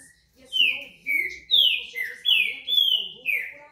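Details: Song of a green-winged saltator: six strong, slurred whistles, each gliding downward and given about every half second in a steady phrase, with low indistinct voices audible behind.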